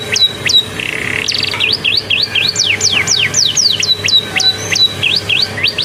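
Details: Sunbathing canary filled with Bar-winged prinia song: opening buzzy rattle, then rapid runs of steep falling whistled notes and short thin tones, repeated several times per second, low background hum throughout.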